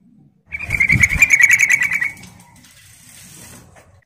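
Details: A yellow-vented bulbul on a lure recording gives a fast, bubbling chatter of bright notes, about a second and a half long, then falls silent against faint background hiss.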